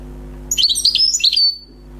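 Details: Newly caught wild European goldfinch giving a brief burst of song: about one second of rapid, high, liquid twitters and trills ending in a thin fading whistle, over a quiet low hum.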